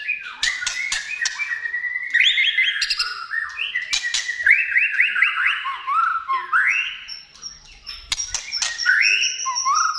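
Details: White-rumped shama song meant to provoke shamas into singing: a long varied run of loud whistled notes, rising slurs and fast trills broken by sharp clicking ticks, nearly continuous for ten seconds.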